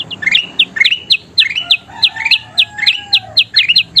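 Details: Short burst of kutilang emas bulbul song for training birds: fast rising chirps and crisp high notes, with a quieter lower whistle drawn out beneath them in the middle.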